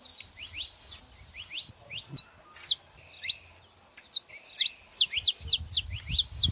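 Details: A male and female saffron finch chatter with high, sharp downward-swept notes, scattered at first and then a loud, steady series of clear piercing strokes, with a soft low hum behind.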